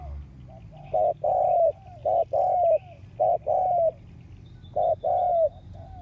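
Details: Decoy spotted dove kept to draw in wild doves, August 2021, giving a series of clear hollow coos, paired short and drawn-out notes that sag slightly at the end, four phrases at roughly one-second spacing over a steady low rumble.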